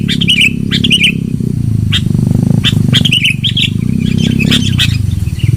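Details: Loud sooty-headed bulbul song for luring birds: clusters of liquid, slurred whistles with sharp clicks between them, set against a constant low humming background.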